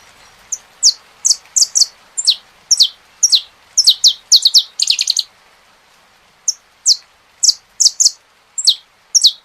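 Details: Saffron finch song with rain sound: a rapid, excited run of some twenty high, falling chips that briefly crowd together into a trill-like cluster, a short pause, then a slower series of about ten more.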